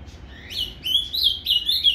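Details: Short Paraná fibra phrase of a captive azulão, or ultramarine grosbeak, played to rouse another bird: a soft opening note, then bright swooping whistles rising and falling in quick succession.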